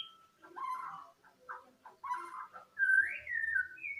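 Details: White-rumped shama giving an odd, chicken-like song: a run of short, harsh, clucking mid-pitched notes, then a clear whistled phrase that rises and falls, ending on a brief higher whistle; faint low rumble underneath.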